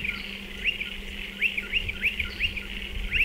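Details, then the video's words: Striated pardalote calling by nest burrows in a dry stone wall. Bright rising chips come singly and in pairs, spaced about a third of a second apart, with a low steady hum in the background. "Striated Pardalote calls"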